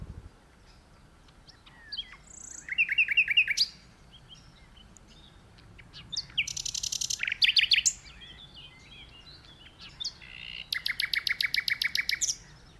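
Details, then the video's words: Powerful song of a Common nightingale perched in a tree. Three separate phrases are divided by short silences: fast trills of chopped notes, rising slurred whistles and loud rattling bursts, each phrase lasting about one to two seconds. "Nightingale Singing"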